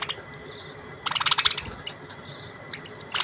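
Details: Budgerigars from Australia give a short, fast volley of bright, buzzy chirps, then near-quiet with faint twitters and a final brief burst of scratchy notes over a low steady hum.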